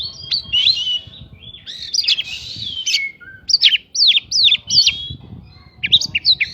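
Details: Shama song stuffed with prinjak phrases, used to trigger quick responses from other birds; warbled whistles, a harsh rasp, then repeated sharp downslurred notes in quick groups, with soft low rumbling beneath.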